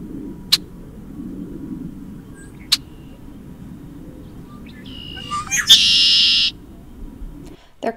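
Red-winged Blackbird gives one conk-la-ree: a few short, clipped introductory notes, then a harsh, buzzy, high trill lasting under a second, over a low, steady rumble with a couple of sharp clicks.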